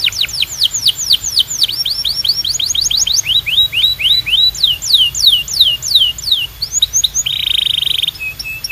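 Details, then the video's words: Canary delivering series of loud, clear descending whistled sweeps, repeated several times a second with shifting pitch, followed by a short buzzy rolled note and a few brief chirps. "Ultimate Canary Singing Compilation 🔥 Loud, Clear & Relaxing Sounds 🎶"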